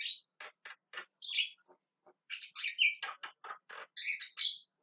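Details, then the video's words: Javan myna calling insistently. It gives a rapid run of short, dry, clicking and rasping notes mixed with longer scratchy squawks and a few tonal whistled bits, irregularly spaced, about five notes per second in bursts. "JALAK KEBO TERIAK TERIAK MEMANGGIL"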